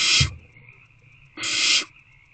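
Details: Owlets in nest box C, 3/2/24 at 6:28 pm, wild, waiting for a food delivery: two harsh, broadband hissing bursts, the first short and the second about half a second long, over a steady faint background hum.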